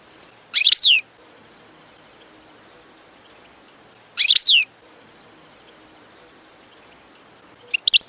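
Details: European goldfinch giving two bright, slurred twittering notes about three and a half seconds apart, then a faint short double chirp at the end, over a quiet background.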